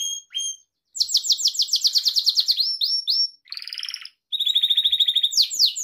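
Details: Gloster canary song for training pet canaries: short chips, then a long rapid run of steeply falling sweeps, a few level whistles, a buzzy roll and a steady high trill before closing slides. Clean recording.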